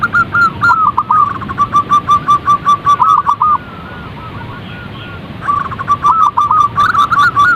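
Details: Perkutut (zebra dove) calling to stir other birds into song: two bursts of fast, rhythmic clipped coos separated by a quiet gap of about two seconds.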